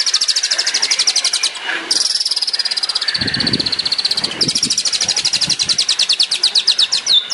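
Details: Long-tailed shrike, 'tembakan' style master song for training songbirds: sustained high rattling trills of rapid even pulses, broken by brief pauses and a few lower chirps midway, continuing steadily throughout.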